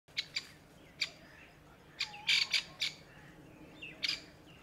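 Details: Grey francolin mother, camouflaged among dry brown summer leaves, panicking over her newborn chicks gathered around her: short harsh rasping bursts, some in quick pairs, scattered across five seconds over a quiet background.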